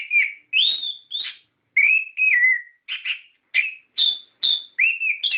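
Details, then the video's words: Orange-headed thrush lure recording meant to make captive birds sing. Loud, clean whistled notes, some rising and some falling, arrive in separate phrases with brief pauses between them. "Pancingan Suara Burung Anis Kembang Gacor Ngeplong Ngerol"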